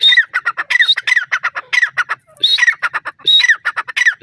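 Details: Francolin calling in grassland: rapid bursts of harsh, grating squawky notes, each series opening with a high thin whistle and falling into raspy repeated syllables, delivered in three rhythmic phrases with brief pauses between.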